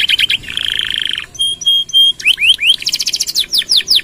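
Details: Singing canary in full long-burst gacor style, used as a tutor and stimulus for other birds: rapid buzzy pulses, a sustained rattling trill, three clear level whistles, then rising and falling sweeping notes.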